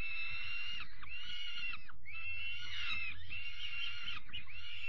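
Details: Rasping, insistent screeches from young peregrine falcons at evening feeding on 5 May 2021, two long harsh bursts split by a short pause, with dull low knocks beneath.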